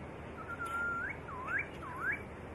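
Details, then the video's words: White-rumped shama song used as a master recording for training songbirds: a long steady whistle rising at its end, then two swooping, looping whistled phrases that dip and climb sharply, over a constant hiss. "MASTERAN MURAI BATU"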